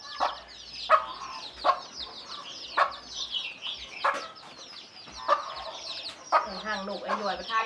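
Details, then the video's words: Hen summoning her chicks to food with spaced, punchy 'kuk' clucks at uneven intervals, while chicks keep up a dense chorus of high, downward-sliding cheeps; a low hum appears near the end. "เสียงแม่ไก่ดังกุกๆเรียกลุกมากินเหยือ/Tiếng gà mái"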